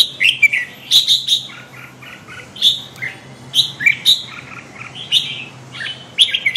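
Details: Red-whiskered bulbul song of rich, fluty whistled phrases, each a quick rising-and-falling warble, given in clusters roughly every second with brief gaps, over a faint constant low hum.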